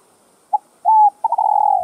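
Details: Spotted dove cooing, a recording meant to stimulate other doves to call: a brief low hoot, then a steady pure held note, then a longer wavering coo that fades downward. The calls are low-pitched, with a faint high steady hiss behind them.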